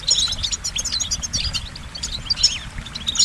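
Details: Goldfinch song in short bursts of high twittering notes mixed with quick slurred, liquid chirps, with faint low rumble underneath.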